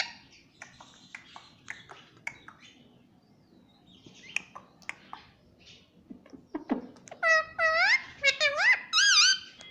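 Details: A pet rose-ringed parakeet repeats "mummy" over and over in a shrill, nasal voice over the last few seconds, after a run of soft clicks and taps.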